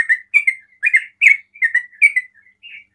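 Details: Sooty-headed bulbul singing 'ropel' style, a song said to draw answers from other bulbuls; a short run of rich, rolling whistled chirps, each note bending up and down, with a softer fading note at the end.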